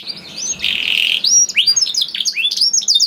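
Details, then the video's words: Canary singing to stimulate other canaries: a soft warble, a harsh buzzy note, then a string of sharp down-swept chirps over steady background hiss. "PANCINGAN KENARI GACOR DOR NGEREK PANJANG INI AMPUH BIKIN KENARI LAIN BUNYI"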